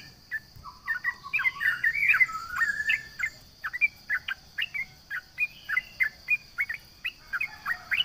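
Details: Yellow-vented bulbul in lively song meant to taunt rivals: a rapid run of short chirpy, bubbly notes, some rising and some falling, about three per second, over a steady high insect-like hum.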